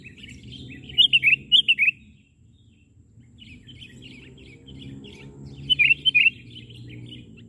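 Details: Wild sooty-headed bulbul being lured for trapping, landing on the ground after failing to perch on a branch, gives two bursts of bright, bubbling chirps with softer chattering between, over a low rumble.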